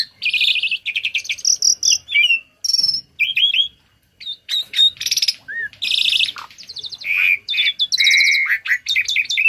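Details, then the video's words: Tame Asian pied starling singing a busy song packed with learned phrases, used as a tutor for other birds: bright whistles, buzzy trills and chattering notes mostly high-pitched, in rapid bursts with brief gaps around the fourth second. "Burung Jalak Jinak Isian Nembak || Cocok untuk masteran burung lain langsung nyaut"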